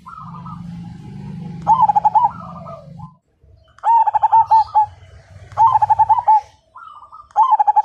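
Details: Zebra dove, Majapahit line, a vigorous fighter singer said to make other birds sing too; repeated phrases of quick bubbling coos with soft rising preludes, about every two seconds, with a low hum early on.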